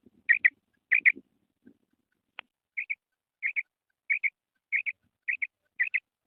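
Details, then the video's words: Female quail calling in clear double notes, repeated about every two-thirds of a second, with a few low knocks and one sharp click early on. "FEMALE BATAIR SOUND / BUDANA OVOZI"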